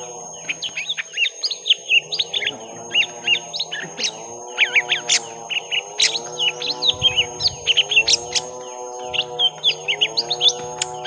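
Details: Young lesser green leafbirds in a long fight, first round: rapid, varied chirps and sharp whistled slurs in quick succession, some notes rising, some dropping, over a steady low droning hum with harmonics.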